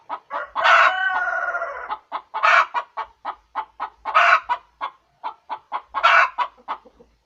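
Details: Egg-laying chicken cackle: a long strained squawk, then runs of sharp clucks punctuated by three more loud squawks at roughly two-second spacing.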